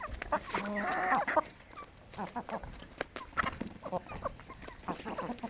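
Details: Healthy Aseel hens gathered at a village chicken farm during early morning feeding on desi grain; a sustained harmonic squawk rises near one second, followed by scattered short clucks and pecking clicks among the flock.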